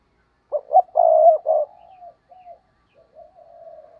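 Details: A single cooing phrase from a decoy spotted dove used to entice wild birds: a few quick short coos lead into a strong drawn-out rolling coo, then fading, softer drawn notes tailing off.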